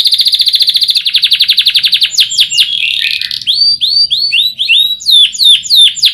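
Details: Canary song used as a master recording for training other birds to sing: a fast rapid trill near high pitch, then swooping descending notes and whistled upslurs in varied phrases, loud and clean.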